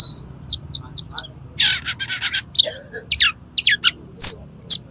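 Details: Oriental magpie-robin singing to lure contest birds into song: soft high chips, then a burst of harsh rasping notes and sharp whistled slurs, with faint voices in the background.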